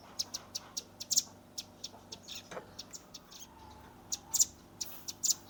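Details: Velvet-fronted nuthatch youngster giving 'tembakan' shot-style chips, filmed with a Redmi 10 as tutor song: scattered high ticks and short doubled notes, irregular in timing, with a brief lower sound midway.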